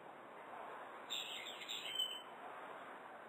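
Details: Brown-eared bulbul calling as a morning wake-up on 17 October 2011, its voice written as pii-pyururi: one shrill, slurred call of about a second, high and squeaky, then fading, over a steady hiss.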